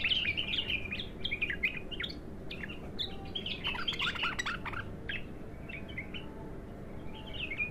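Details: Raw, untrained bulbul in its first song session delivers a long run of quick, jumbled chirps and liquid warbles. The notes tumble up and down almost without a break, then thin out into softer phrases, with steady low rumble beneath.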